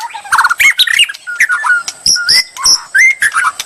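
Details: White-rumped shama singing as a bait recording to provoke rival birds; quick mix of clear whistled notes, rising slurs and dry clicking bursts, delivered in short phrases without pause.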